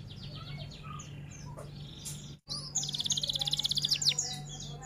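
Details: F1 canary song in the rol tembak style: faint scattered chirps and whistles, a brief silence, then a loud fast metallic trill pulsing about a dozen times before a sharp closing note; constant low hum.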